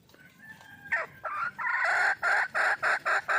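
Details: Wild junglefowl hen calling for a male: a soft faint start, then a run of loud, harsh, clipped cackling notes, about three per second, growing steadier toward the end.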